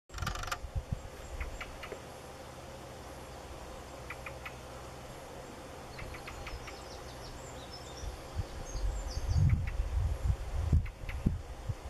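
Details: A ring ouzel calls from just below trees on Isle of Portland on 26 October 2017, then flies off: hard, clicking tack notes in irregularly spaced clusters of two or three, over steady low wind rumble.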